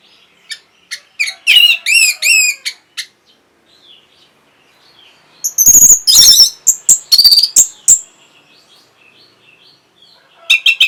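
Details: Orange-headed thrush singing, used to arouse breeding readiness and draw an answer: scattered clear notes, then looping whistled phrases, then a dense burst of sharp high chips and trills after a brief lull.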